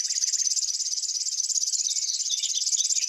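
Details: Grass warbler reeling: a sustained, thin, high trill of fast even pulses, with several brief chirping notes just below it.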